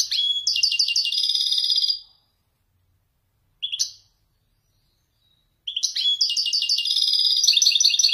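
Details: Wedani European goldfinch showing off authentic Marrakchi descending song: a long, rapid twitter of repeated bright notes, a short sharp chirp, a silence, then another sustained, jingling burst of rapid notes.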